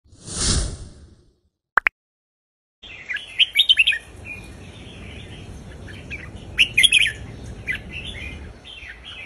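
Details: Red-whiskered bulbul song from southern Thailand, Indonesian-style folk tune played for teaching young birds, begins after a loud noise burst and two clicks; bright warbled phrases around mid-high pitch come in bursts with a hiss behind.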